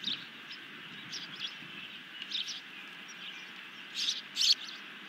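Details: Osprey at its nest while food is delivered and eaten on a June 2020 evening; thin high chirps come in scattered clusters, louder and doubled near the end, against faint background noise.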